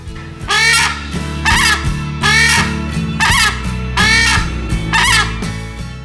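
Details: Crested screamer giving loud, harsh, honking screams, about six in a row, each roughly half a second long and spaced about a second apart, over steady background music.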